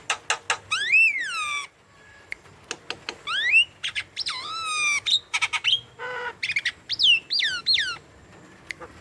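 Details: Javan myna, a vocal bird used as a lure to get young, lazy or silent mynas to call: long swooping whistles, some rising and some falling, broken up by sharp clicks and brief rasping notes in a varied, chattering sequence.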